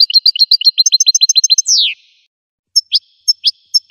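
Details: A goldfinch runs a quick trill of high chirps into a long downward-sweeping slurred note, then, after a short silence, adds a few widely spaced sharp notes.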